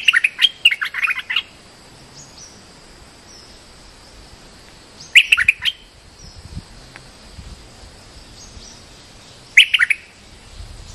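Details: Bulbul lure call used to attract birds: three bursts of bright, chattering chirps, the first lasting over a second, then short clusters near five and nine and a half seconds, separated by quiet background.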